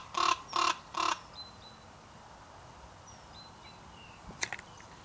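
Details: Raven with three quick, harsh rasping calls in a row, then near silence broken by faint, thin high chirps of small birds in the distance.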